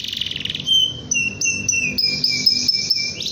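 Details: Canary calling a rival with a short fast trill that turns into clear, sustained whistled notes, held and repeated in quick pulses, high-pitched and piercing.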